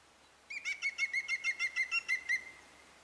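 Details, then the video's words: Levaillant's woodpecker (Maghreb green woodpecker) at Oukaimeden, Morocco, in March gives a quick laughing series of about eleven even, ringing notes, roughly six a second, over faint background hiss. "Pic de Levaillant (Picus vaillantii) Maghreb Green Woodpecker"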